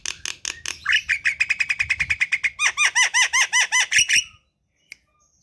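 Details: Javan myna kept at home in the morning, a bird said to be reluctant to sing: a steady run of rapid, evenly repeated chirps that turn into harsher, arching notes, then stop abruptly.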